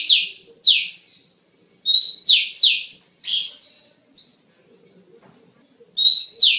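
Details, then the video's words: Kacer, or Oriental magpie-robin, singing a training master track: bursts of bright downward-swept whistles alternating with short flat whistled notes and a harsh burst, separated by pauses of about two seconds, in a quiet setting. "Masteran Terbaik Kacer"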